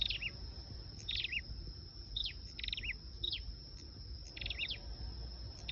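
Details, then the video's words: Flowerpecker singing for use as a lure, with rapid high chip notes and falling twitters, several bursts over a few seconds and a continuous high-pitched tone behind. "Tiếng sâu đầu đỏ mồi"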